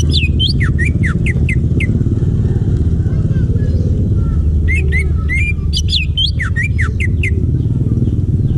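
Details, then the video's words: Wild greater green leafbird singing in forest: two bursts of quick, sharp, downslurred whistled notes, the first in the opening two seconds and the second near the middle, over a constant low engine-like rumble. "Masteran Cucak Ijo asli hutan"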